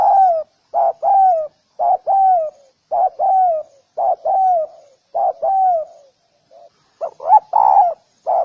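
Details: Spotted dove cooing steadily, pairing a short note with a longer downward-sliding coo, about one pair each second, followed near the end by a faster run of clipped, wavering notes.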